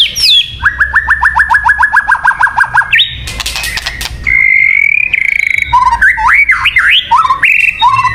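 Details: ['White-rumped shama song used to lure birds: a fast series of about fifteen identical rising notes, a harsh burst, then long clear whistles and looping, slurred phrases alternating high and low.']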